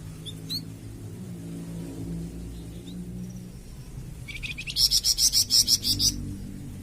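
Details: Flamboyan bird song used to train captive birds: faint short whistles early on, then a loud two-second run of quick, regular buzzy pulses, over a low background rumble.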